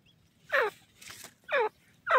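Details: Grey francolin calling: three loud harsh descending notes with a stacked, grating quality, roughly half a second apart, over faint low background noise.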